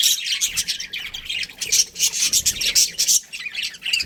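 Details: Quick, repeated high chirps from a breeding pair of budgerigars, about three notes a second, rising and falling in loudness with clustered squeaky accents midway.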